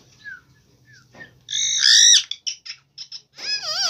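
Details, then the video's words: Green Indian ringneck parakeet talking: soft brief notes building to a loud harsh rasping burst, a few clipped syllables, then a warbling modulated whistle, with a low hum behind. "Talking Parrot Video|Green Ringneck Parrot"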